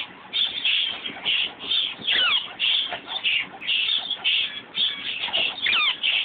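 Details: Five yellow-shafted flickers, members of the woodpecker family, in a rehabilitation bird room, once shy but now curious; harsh, raspy, buzzy calls overlapping in a steady stream, bursts coming roughly once per second.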